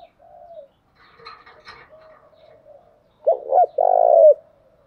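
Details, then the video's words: Spotted dove lure recording of male and female birds used to prompt cooing: faint soft coos and scattered chirps, then one loud phrase of two short throaty notes followed by a long, rough, low coo. "thúc chim cu gay"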